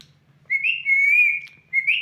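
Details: A long, clear whistle from a parrot, level and slightly wavering, fading out briefly before a short rising whistle at the end, with a faint low hum beneath.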